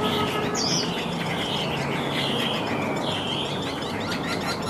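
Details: A large caged Chinese hwamei that flicks its wings and tail and sings readily once hung out sings clear, high whistled phrases, with a quick upslurred note early on, over a steady hiss of background noise.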